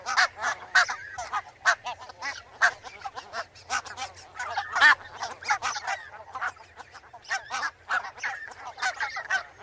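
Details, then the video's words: Barnacle geese in a flock keep up a dense, continuous stream of overlapping yapping barks, loud and quick with no real pause. "SOUND OF A BARNACLE GOOSE 🔊 What does a barnacle goose sound"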